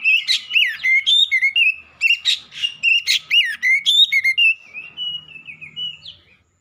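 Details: Black-chested oriental magpie-robin singing powerfully: a fast, loud run of varied whistled notes, slurs and sharp chips, densely packed for about four seconds, then easing into softer, drawn-out whistles.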